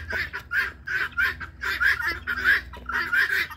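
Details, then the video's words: Guineafowl kept at home giving their threat squawk, triggered even by their own humans nearby: loud rasping, buzzy calls in quick uneven succession, roughly every half second, over a faint low background hum. "the sound of guineas"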